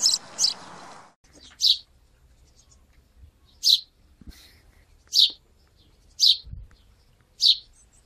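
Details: House sparrow in the Wittlicher Tal, 2017: two quick high chirps at the start, then five single loud chirps spaced about a second apart over quiet background with soft low thumps.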